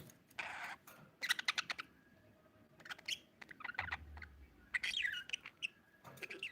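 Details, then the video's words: Pet budgerigar chirping indoors: bursts of bright, warbling chirps and clicks broken by short pauses, with brief low thumps in the background. "budgie❤ chirping sound"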